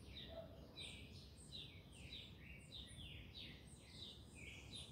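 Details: Saffron finch singing: short bright chirped phrases, some sweeping downward, repeated roughly every second over a strong steady low rumble of background noise.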